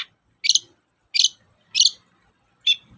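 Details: Long-tailed shrike recording used to prompt other shrikes to sing: loud, harsh rasping notes repeated roughly every half to one second, four in a row.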